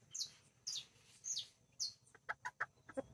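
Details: Colombian backyard flock on 24 October 2024: two mother hens with nine chicks, mini and Brahma, rooster checking on them; three high, downward-sliding chick peeps, then a quick run of four or five clipped clucks.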